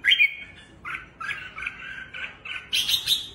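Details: Kept red-whiskered bulbul in a highly aggressive mood, dancing on the perch with fanned wings; loud chirpy notes come in quick separate bursts, the last ones higher and sharper, with a quiet background.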